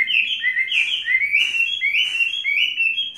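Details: Chinese hwamei, a tame caged bird of three seasons, pours out a continuous stream of bright whistled notes, each rising and falling in quick succession with barely any break.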